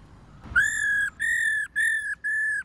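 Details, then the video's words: Female laughingthrush calling to stir up males, four flat, pure whistled notes of similar length and pitch, each separated by a brief gap. "KHƯỚU MÁI RÒ LIÊN TỤC KÍCH TRỐNG CỰC NHẠY"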